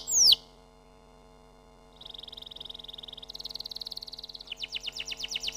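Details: Canary giving one loud falling whistle, a pause, then a soft buzzy trill that climbs higher, grows louder, and turns into quick pulsed notes.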